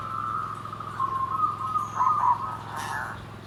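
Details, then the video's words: Zebra dove singing in the nggandem gedhe garing style: a long, level, vibrating coo lasting roughly two and a half seconds with a few wavering notes near the close, over a constant low background hum. "SUARA PERKUTUT GENDOWO SABDO || NGGANDEM GEDHE GARING"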